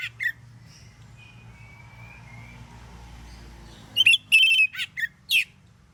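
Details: Oriental magpie-robin singing full-voiced in the morning to draw answers from other magpie-robins; near-silence, then from the fourth second a quick run of loud, harsh-edged whistled notes and rasping bursts.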